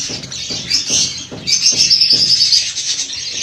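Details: Budgerigars chattering together in a dense flock, with a continuous high twittering and warbling chorus; faint low thumps recur about every quarter second beneath the birds.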